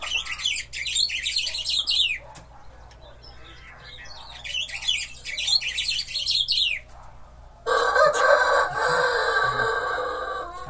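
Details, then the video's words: Caged batuqueiro, the Buffy-fronted seedeater also called bico de pimenta, kept in a cage placed alongside another. It sings bursts of quick descending chirps and trills repeated several times, followed by a loud burst of broadband noise. "Batuqueiro cantando de gaiola colada. Bico de pimenta"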